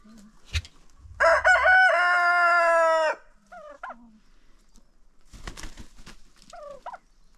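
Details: Rooster crowing during an unofficial after-breakfast contest on a farm: a stuttered start leading into a two-second level crow, followed by short rising-falling clucks from hens and some rustling.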